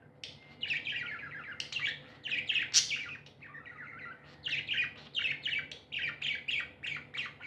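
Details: Happy budgerigars kept as pets give rhythmic runs of short scratchy chirps, repeated several per second in bursts, with one sharp squeak near the middle.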